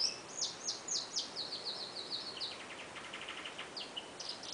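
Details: Female Belgian canary singing in an aviary shared with zebra finches: a run of sharp, high chirped notes slurring downward, then a quick buzzy trill of repeated notes, then more bright chirps, with a steady hiss underneath.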